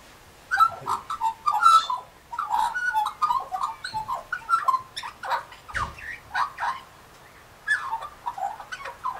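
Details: Warbling song of an Australian magpie beside local galahs, a continuous tumbling stream of rich, gurgling notes with brief sharp clicks scattered through it.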